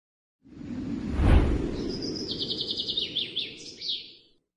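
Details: An albino lovebird, a contender for competition and noted for calm behaviour while competing, gives a long, classic chattering song: a fast, high trill of about ten rapid notes a second, ending in a few wavering notes, over steady low rumbling noise.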